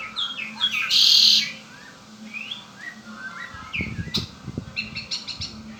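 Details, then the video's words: A household Red-winged blackbird opens with a loud buzzy trill, then scattered sliding whistles and rapid clicking chirps, accompanied by brief low knocking sounds. "Hermoso y exótico canto del Mirlo ala roja ó Red winged black bird."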